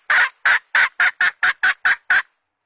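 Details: Lure hen chicken, 2020 season, giving nine loud, rough clucks in quick succession, slightly accelerating, then falling silent.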